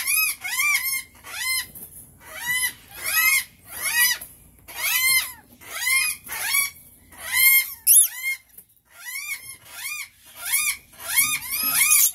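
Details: Rainbow lorikeet calling in quick clusters of bright, strained, rising-and-falling squeaks, bursts following one another about every second, sounding indoors and close.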